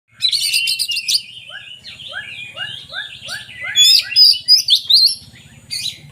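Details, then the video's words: Oriental magpie-robin song played to prompt reluctant magpie-robins into singing: high bright varied whistles and buzzy chatter, then a steady run of short descending notes repeated about three times a second, with further rich phrases and a faint low hum. "suara burung kacer bagus untuk pancingan kacer malas bunyi"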